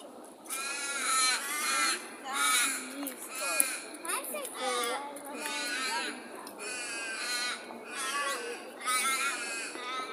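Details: Birds by day in Perth amid street life: drawn-out, harsh calls rich in overtones, repeated in phrases of about a second, some slurring downward, with a steady background hiss.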